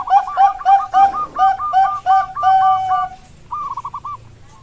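A zebra dove gives a rapid run of about a dozen soft, staccato cooing notes over three seconds, then closes with a longer rolling coo.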